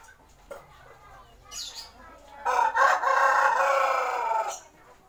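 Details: Siam or Bangkok chicken, a rooster of the original Thai breed, giving one loud, hoarse crow of about two seconds that starts with a rough rise and then holds steady before cutting off. Faint clucks and soft noises come before it.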